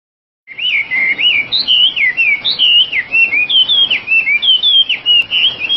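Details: Oriental magpie-robin in full song: a continuous run of clear, twisting whistled phrases that rise and fall, each note slurring into the next, delivered roughly once a second with no pauses.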